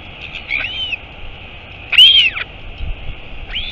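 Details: At a Royal albatross nest in the Taiaroa Head colony near Dunedin, New Zealand, with the mother arriving: a few thin, high, arching whistled notes spaced over a few seconds, one clearly louder, against low rumbling background noise.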